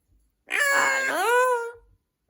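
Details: Amazon parrot kept as a pet saying hello on request: one drawn-out voiced word, starting rough and sliding upward into a clear harmonic tone, just over a second long, in a quiet room.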